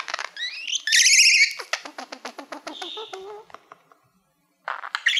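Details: Male pet budgie singing toward a mirror-like plaque; high whistled squeaks and a loud squawk, then a rapid train of clicking ticks, a pause, and renewed high chatter.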